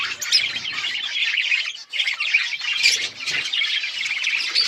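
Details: Budgerigars kept as pets keep up a busy flock chatter of shrill squeaks, rapid warbles and harsh chirps, overlapping without pause apart from a short dip near the middle.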